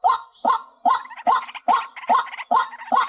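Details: White-breasted waterhen calling: short, harsh, rising notes repeated steadily, about two to three per second, eight notes in just over three seconds, with a faint echoing tail after each.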